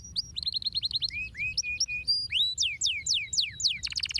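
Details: Canary singing to encourage other birds to sing, with quick sweeping whistles in fast succession and rising-then-falling slurred notes, ending in a dense rapid buzz.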